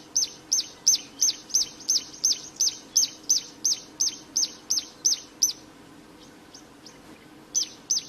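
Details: Plain prinia in natural habitat, singing actively: a rapid run of about fifteen bright, high, repeated notes at three per second, then a silent gap, then the series restarting.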